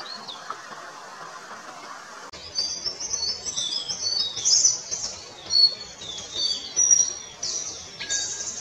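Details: Palani laughingthrush, a subspecies of the Kerala laughingthrush: bright, high chirps and quick whistled slurs tumble out in overlapping bursts after a short, quieter lead-in.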